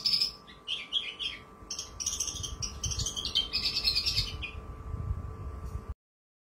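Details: Singing Javan bush lark used as a training recording for contest birds: bursts of high, crystal-clear chirps and rattling trills for about five seconds, then abrupt silence; low background rumble throughout.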